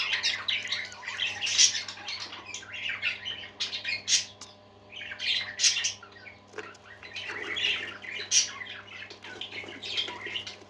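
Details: Pet parakeets (budgerigars) chattering and singing together: a busy stream of scratchy chirps, squeaks and squawks in bursts with short pauses, over a constant low electrical hum.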